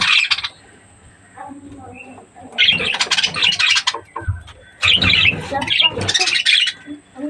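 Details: Breeding budgerigars make bursts of scratchy, high chattering chirps in clusters, separated by quieter gaps with faint low notes and background rumble.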